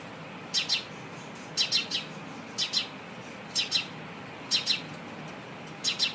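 Sparrow giving short, bright chirps in pairs or threes, about once a second, over a faint low background hum.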